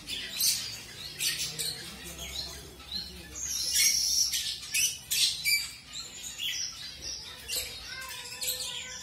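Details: Colour-mutation zebra finches newly introduced to a new mate; bursts of short, high nasal chirps and tweets in irregular clusters, several calls close together with brief pauses.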